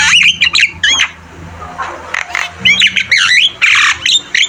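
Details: Javan myna (jalak kebo) in full energetic song, a cage-bird training recording: harsh squawks alternating with quick looping whistles in bursts about every half second, with a short quieter gap in the middle and a low hum beneath.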